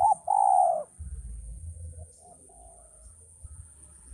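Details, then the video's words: Male spotted dove calling: a low hoarse coo followed by a softer faint coo, with a steady electrical hum and low rumble behind. "suara burung tekukur ajaran"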